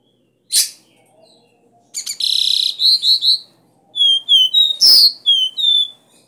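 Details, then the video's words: Copper seedeater, locally caboclinho, singing its 'Dó Ré Mi' three-note style to fire up caged birds. An abrupt harsh note is followed by a buzzy trill, quick rising notes, then a run of high pure whistles around one raspy burst. "CANTO DO CABOCLINHO VERDADEIRO - DÓ RÉ MI"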